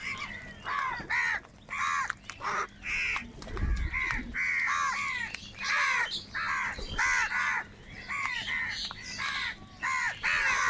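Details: Crows gathered in huge numbers fighting for food, dense chorus of short harsh caws from many birds, calls crowding one another almost without pause.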